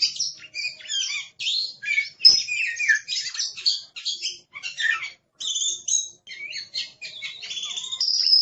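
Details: Oriental magpie-robin, an Indonesian cage bird, singing aggressively: a fast, noisy stream of varied chirps, harsh buzzes and short whistles, almost without pause, ending in a sustained high rattling note.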